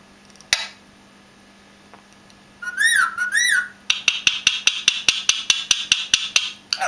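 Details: Pet parrot indoors giving a sharp click, then a wavering whistled phrase that rises and falls, followed by a rapid series of about fifteen short clicking notes roughly every quarter second.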